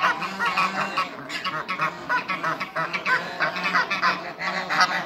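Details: African and Toulouse geese, eight birds on a farm, call in short repeated honks, loud nasal blasts coming in choppy bursts with brief dips between them.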